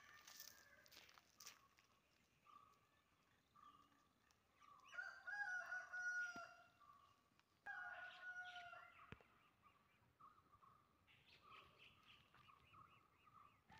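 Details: Indian peafowl in Kerala, India, gives two loud, nasal, wailing calls about two seconds apart, each over a second long, with fainter repeated calls and bird chirps in the background.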